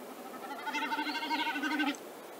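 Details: A Common Snipe from Central Russia gives a single quavering, bleat-like sound of just over a second, rapidly pulsing and throbbing at a steady pitch, over a quiet background.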